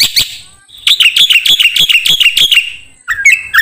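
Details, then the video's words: Training recording of black-winged myna song for other songbirds: a short harsh note, then a fast series of buzzy, chattering pulses that fade out, ending with a rising squeaky phrase. "MASTERAN KICAU Jalak Putih"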